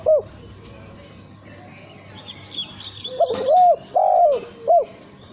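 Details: Cooing of a male spotted dove kept for song contests: after quiet background with faint high chirps from another bird, a burst of short coos, a long sliding coo and a final clipped coo.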